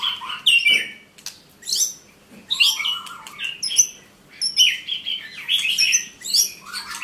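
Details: White-rumped shama delivering short bursts of clear whistled and warbled phrases, some dropping or rising, interspersed with harsh scratchy notes, separated by brief gaps of quiet.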